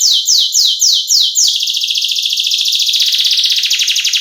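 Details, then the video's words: Canary, kept for lure and tutor recordings in the isian phrasing style: several loud, descending slurred notes, then a fast, dense buzzy trill that drops slightly in pitch toward the end. "Pancingan dan masteran burung kenari gacor cengkok isian"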